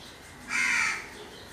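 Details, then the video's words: One drawn-out, rasping crow caw lasting about half a second in a quiet setting. "Crow bird sounds or noises."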